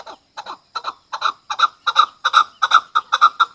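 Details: Chukar partridge used as a hunter chakor, starting with spaced single clucks that swell into louder doubled chuk-chuk notes, about ten bursts in under four seconds, in a quiet setting.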